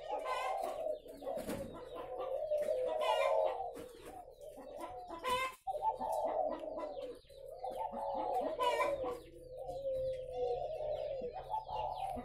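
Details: Many caged spotted doves at a breeding farm near Ba Vì, Vietnam, give low, rolling coo phrases several seconds long, broken by brief pauses, with sharp clucks, chirps and wing clatter between them.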